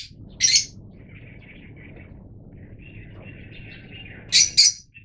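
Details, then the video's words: Yellow Fischer's lovebirds: two loud piercing chirps at the start and end, with faint soft warbling chatter running between them. "Yellow Fischer's Lovebirds"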